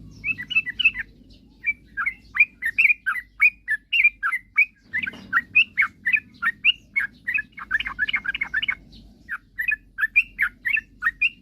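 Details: Long bout of sooty-headed bulbul song aimed at provoking rival birds to sing: many short whistled notes, rising and falling, in a brisk regular series after an opening flourish, with low hum throughout.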